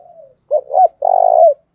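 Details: Spotted dove used as a decoy to provoke rival wild doves to coo in reply, with a 'đồng' voice. A faint trailing coo is followed by two short throaty notes and a long vibrating coo that drops off at its close.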